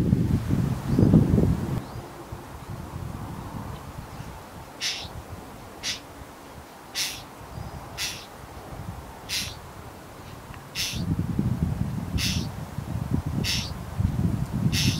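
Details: A Familiar Chat (Oenanthe familiaris) fledgling outside the reception at Phillipskop calls to its parents with about nine short, harsh, rasping begging notes a second or so apart; low rustling and wind are heard at the start and end.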